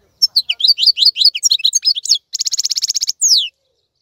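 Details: Singing European goldfinch, active and keeping its glossy plumage during the moult season: rapid liquid twitters, then a dense buzzy trill, ending with a descending slurred whistle.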